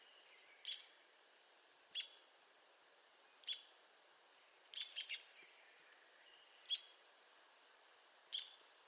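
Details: Arizona woodpecker of the Madrean Sky Islands region: single sharp, high, clipped calls given every second or two, some doubled into quick pairs, against a quiet background.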